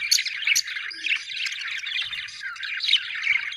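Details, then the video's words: Several budgerigars in cheerful chatter, a steady mesh of rapid chirps and warbled twitters, with a few louder sharp notes near the start. "happy budgies chirping sound"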